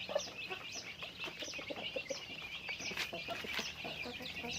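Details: A flock of chickens in daily activity, heard as busy, layered high chirps and short peeps over softer low clucking, with calls overlapping steadily throughout.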